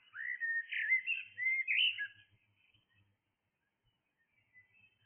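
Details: A blackbird sings in the early hours, giving a smooth, flowing whistled phrase of several slurred notes for about two seconds, followed by near silence with faint distant chirps.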